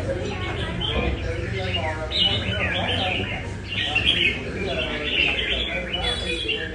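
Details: Red-whiskered bulbul from Nam Đông practising in a Đà Nẵng café, pouring out loud, sweet warbled bursts between spells of people chatting close by.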